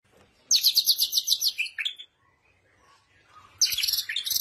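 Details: Bird singing: a high, rapid trill of sharp repeated notes lasting about a second and a half, a short lower phrase, a quiet gap, then another high trill starting.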